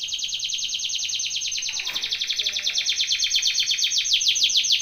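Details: Belgian canary singing a training song: one unbroken, high trill of fast, repeated sweeping notes, about two per second in the loudness beat, getting gradually louder.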